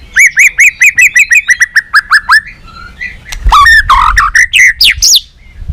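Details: White-rumped shama singing competitively and flicking its tail: a steady series of about fifteen repeated rising whistles, followed by a jumble of warbled notes and high sweeps.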